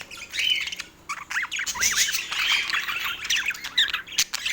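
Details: Parakeets at their feeding time on an autumn morning in natural light. They give a lively mix of short arched chirps and harsh squawks, with bursts of rapid chatter and a few brief pauses.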